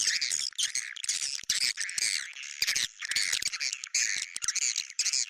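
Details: Swiftlet 'bintang utara' lure sound, said to draw swiftlets: buzzy, high twittering in bursts with squeaky upper notes and short gaps between phrases.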